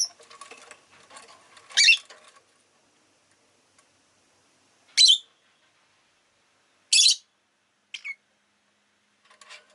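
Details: Rosy-faced lovebird chirping: three loud, harsh, high chirps spaced about two seconds apart, then a brief softer note, over faint low background chatter early on.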